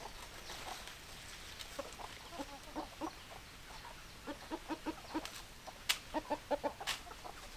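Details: Hens cluck in quick runs of short, throaty notes, evenly repeated about three or four per second. They are broken by a couple of sharp, clicking noises, and no rooster crows.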